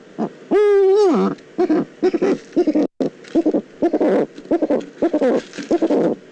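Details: Eurasian eagle-owl, Eifel, 22 October 2014: one long, loud, tonal call held level for about three quarters of a second and dropping at the end, followed by a run of short, choppy, chattering bursts.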